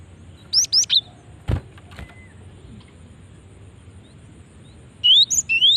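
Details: Female cinereous tit calling as a lure for other birds. A few high, rising chirps, a sharp knock, then a louder run of upslurred notes at the end.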